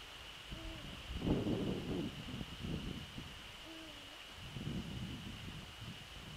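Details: Eurasian eagle-owl visiting its nest on an evening of 27 December 2013, calling several times between 18:24 and 18:28; two short, low, slightly falling hoots about three seconds apart, with rustling and crackling nearby and a steady high hum.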